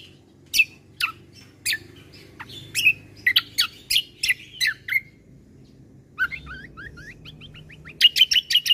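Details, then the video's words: Bulbul combo song with lavish fill-ins, used to make other birds excited and vocal: separate high sharp chirps in an uneven rhythm, then a quick falling run of thin whistled notes ending in rapid trilled bursts. "Suara Keciasl Kombo Isian Mewah Sekali Putar Bikin Emosi Burung Yang Dengar Auto Ribut"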